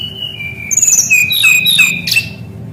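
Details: Brown-chested jungle flycatcher, a bird said to sing steadily with rolling phrases, used to train young birds of its kind: a long even whistle slides into rapid, overlapping high warbled notes and sharp chips, with soft low hum beneath.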